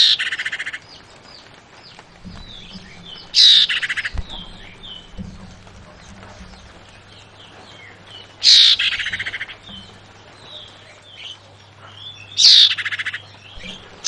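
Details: Female Javan white-eye calling for a male's reply, repeating a loud buzzy burst with a short trailing chatter roughly every four to five seconds, three times in all; soft thin whistles from other birds between, and a low hum.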